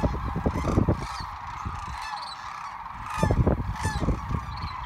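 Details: A dense chorus of migrating Sandhill Cranes on the Platte River, Nebraska, in March 2017 gives overlapping rolling, trumpeting calls that merge into a steady din over low rumbling wind noise.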